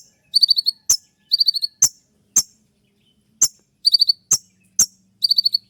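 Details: Trotol konin 'shot' song as dawn master track for other birds: short bursts of four to six buzzy high notes alternating with single sharp descending chips, faint low hum beneath.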